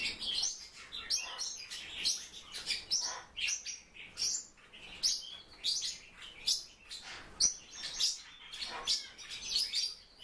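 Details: Kept silver-eared mesia chattering in a steady stream of sharp, high tweets and clipped whistled notes. The bursts come unevenly, often in close pairs, with no other clear sounds.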